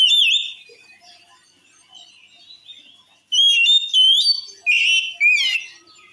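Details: Oriental magpie-robin (kacer) song, said to make rival magpie-robins rage: a loud looping whistle, a long stretch of quiet soft twitters, then four bursts of loud, rapid, swooping and chattering whistled notes.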